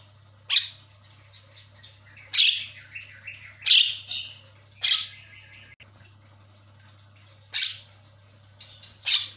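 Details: Javan myna (jalak kebo) vocalising to spur a silent bird into chattering: loud, harsh, broadband squawks and rasping bursts at irregular gaps of one to three seconds, with softer chatter between them and a low steady electrical hum throughout.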